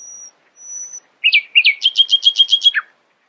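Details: Nightingale song in the early morning, opening with two thin, high drawn-out whistles, then a pause, two sliding chirps and a fast rolling run of bright repeated notes ending in a downward slur.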